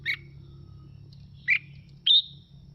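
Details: Red-whiskered bulbul of the Mào Mộc style singing, played to spur other birds into song. Three short bright notes: two quick slurred chirps, then a higher, drawn-out whistle, over a low steady hum.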